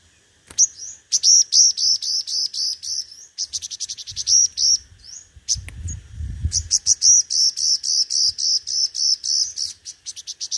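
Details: Five-coloured sunbird ('hút mật 5 màu') kept as a decoy and singing competitively: an almost continuous stream of piercing, high, rapidly repeated notes, briefly broken midway, with a low rumble in the background.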